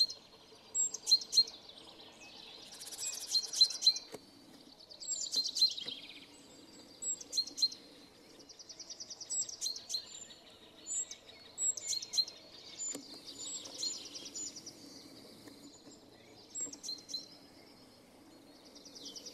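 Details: A great tit in Shipov Forest, Voronezh region, Russia, sings its energetic spring song, unlike its February–March calls: bright, high, rapidly repeated chirping phrases in short bursts over a low background hum.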